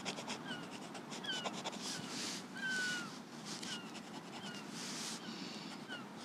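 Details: Gulls heard from the coast of the Lizard peninsula, Cornwall, on a sketch walk; scattered high, descending mewing calls from a few birds, one louder nearer cry midway, over a bed of rustling and distant traffic noise.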